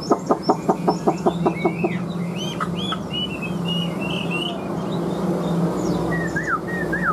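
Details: A captive Chinese hwamei opens with about ten sharp, regular clucking pulses, then breaks into high twisting whistles and warbled phrases, closing with repeated downslurred whistles; a low hum persists throughout.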